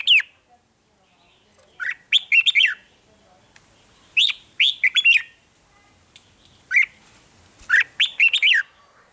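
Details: Red-whiskered bulbul singing 'rik' song, a recording meant to excite caged birds: repeated short phrases of four or five quick whistled notes, rising and falling, about every two seconds, with faint background noise.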